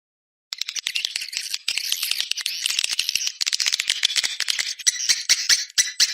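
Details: Swiftlets in a recording sold as an external swiftlet sound, from 2020: a dense, rattling stream of high, dry twitters and clicks running almost without pause, with no other sounds.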